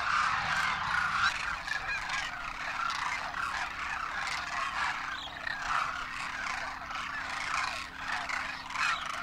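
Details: Flock of wild Demoiselle Cranes over Rajasthan in the Indian winter, first-year young with parents, trumpeting in flight: continuous overlapping honking calls, louder at the start, forming a steady wall of sound.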